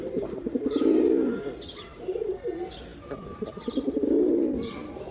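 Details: Deep throaty cooing from a male pigeon, the kind of call meant to draw pigeons in; a long rolling coo, a shorter one near two seconds, then another swelling coo, with thin high chirps in the background.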